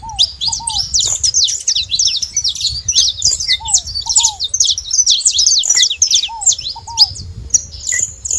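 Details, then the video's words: Flock of saffron finches calling at a feeder, a nonstop jumble of high, clipped chirps overlapping one another, broken by occasional pairs of softer, lower down-slurred notes. "Canário da terra fazendo barulho na seva"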